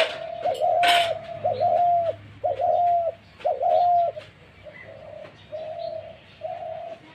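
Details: Dove giving a 'mair dak' call, a style of cooing: a series of low, hollow coos, each about half a second long, delivered roughly once a second, loud at first and then softer and more spaced out toward the end.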